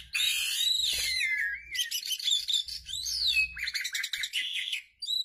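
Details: Asian pied starling (Gracupica contra) in a recording meant for quickly pairing birds, calling a busy run of loud whistles, slurred rising notes and harsh buzzy chatter over a faint low hum.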